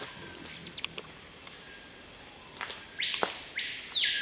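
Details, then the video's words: Screaming piha in Amazonian forest near Manaus, Amazonas, Brazil: a single ringing whistle, sharply rising then held and falling, late in the recording after faint clicks, set against dense high-pitched insect noise. "Amazon rainforest, Songbirds Amazon Lipaugus vociferans"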